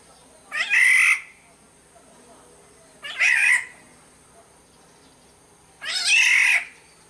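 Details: Sumbawa black-naped oriole giving three rasping, nasal, cat-like squawks spaced about two and a half seconds apart, each roughly half a second long, with quiet pauses between them.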